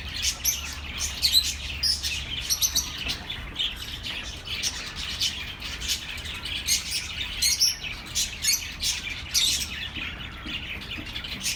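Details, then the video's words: Continuous bird chatter meant to soothe lonely pet birds, many quick high chirps and occasional harsher squawky notes crowding together throughout. "relaxing birds sounds for your lonely birds"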